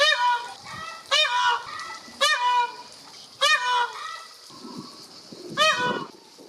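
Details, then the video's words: Peacock calling loudly with nasal, harmonic wails repeated roughly once a second, five sharp cries separated by quieter gaps with faint rustling and low background sounds. "Peacock funny sounds"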